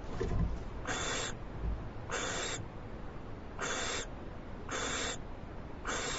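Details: Owl receiving a large food item from its mate gives harsh, breathy hissing screeches, each about half a second, repeated roughly once a second over a faint low rumble.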